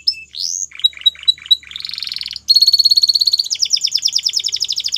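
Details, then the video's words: Singing Belgian canary: a rising whistle and a few chirps, then a harsh buzz, followed by a fast rattling trill and rapid repeated sweeping notes. "Melodies Canary Bird Song | Belgian Canary Singing"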